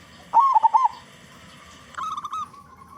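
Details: Zebra dove, a local bird with a loud voice, singing as a lure for other doves; one rolling, bubbling coo of four quick pulses, then a softer trailing phrase.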